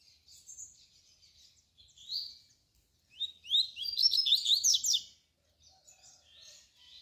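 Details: Double-collared seedeater (coleiro tui tui) song used as a tutor for young birds: a quick, high run of sweet chirps and sharp slurred notes, swelling into a dense burst before trailing off.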